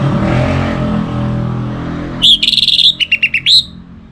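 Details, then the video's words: Orange-headed thrush song used as a lure to prompt kept birds to sing: a low traffic-like rumble gives way to a quick burst of about a dozen bright, clear notes in just over a second, ending in one longer phrase. "Kicauan Burung ANIS MERAH"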